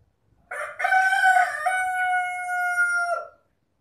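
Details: A single long rooster crow: a short rough opening, then a sustained, clear, tonal note held steady for nearly two seconds before dropping off at the end. Nothing else is audible.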